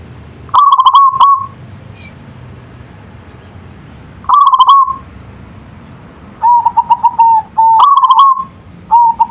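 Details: Local zebra dove singing repeatedly: several quick bubbling cooing phrases, some with a slightly lower, steadier series of pulsed notes, separated by short pauses over a low hum.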